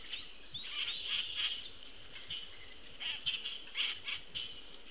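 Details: Rapid scratchy squawks and chatter from a juvenile Common Grackle receiving food from its attentive parent on 22 June 2018, coming in two loose bursts above a steady high-pitched background.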